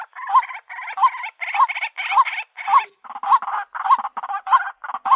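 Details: Lure sound of a white-breasted waterhen: continuous rough, grating croaks with a hooked nasal note repeated roughly every half second, the texture dense and harsh throughout, with brief low thuds near the end.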